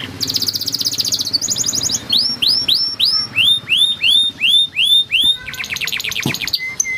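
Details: Yellow canary in full song, opening with rapid high trills, then a run of loud downward-sweeping whistled notes repeated about twice a second, ending in a fast rattling trill and a short flat whistle.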